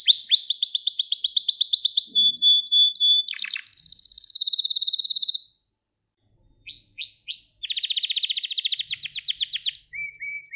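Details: Gloster canary training song to excite males: long rapid trills, a steady held whistle, a high buzzy section, a silent pause, then another fast dense trill and short low whistles.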